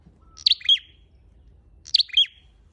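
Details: Two crisp, high-pitched double chirps from a red-headed flowerpecker used as a lure, each a bright tick then a descending buzzy slur, about one and a half seconds apart.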